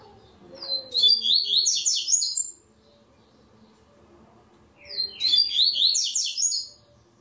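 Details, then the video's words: A double-collared seedeater is entered in the third stage of an online singing tournament. Two bright, fast, high phrases of buzzy and slurred notes are heard, each about 1.5 seconds long, about three and a half seconds apart. "TORNEIO VÍDEO WEB COLEIRO ON-LINE"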